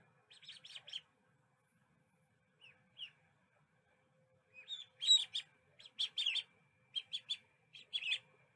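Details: Little duckling: brief bursts of high, thin chirps, a short flurry, a pause with two soft peeps, then louder clustered peeps in quick groups.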